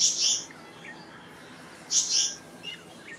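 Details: Black-naped monarch producing a pair of abrasive, shrill double-burst calls roughly two seconds apart, with a few faint chirps in between over a quiet backdrop.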